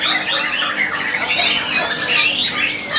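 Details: White-rumped shama singing a dense, continuous warble of quick rising and falling whistles and chattering phrases with no pauses.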